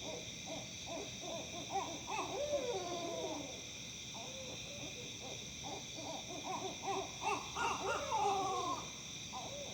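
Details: A Tennessee owl chorus: bursts of fast, choppy hoots break into long descending wavering cries, then a pause and a second excited outburst, all over a steady shrill background hum.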